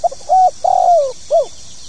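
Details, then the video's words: One full cooing phrase from a spotted dove in the 'pokal tanggung' calling style: quick soft coos, a held hoarse note, a long downward-slurring coo and a closing arched coo, against constant high-pitched hiss. "SUARA PANGGILAN BURUNG TEKUKUR POKAL TANGGUNG"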